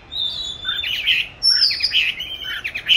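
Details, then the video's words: Caged oriental magpie-robin, hatched 29 July 2020 and recorded 22 March 2021, hung in a favoured spot for song training: a varied run of high chirps and short slurred notes, one long thin whistle near the start, phrases in quick bursts. "con than chuyền nuôi 29-7-2020(clip quay 22-3-2021) treo chỗ lý tưởng luyện hót"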